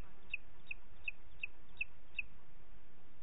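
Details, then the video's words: Booted eagle in Els Ports Natural Park on 29 June 2021 at 20:30 gives six thin, high, clipped notes at an even pace, about three per second, over a steady low rumble of background noise. "Àguila Calçada"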